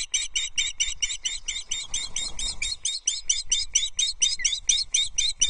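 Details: Osprey calling at the Loch Arkaig nest on 19 May 2023 while the female feeds on a small breakfast the male delivered. A continuous series of about twenty-five high, piercing, slightly buzzy chirps runs throughout, with brief low rustling midway.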